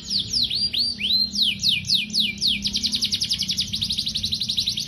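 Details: Canary in full, energetic tutor song used to prompt young or silent canaries to sing. Slow swooping rising-and-falling notes lead into a fast, evenly pulsed trill that runs to the end.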